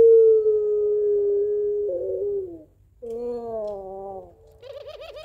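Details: Pelung barbary dove calling its mate: a long, level coo slowly falling in pitch, a brief pause, a second wavering coo, then a quick tremulous ending.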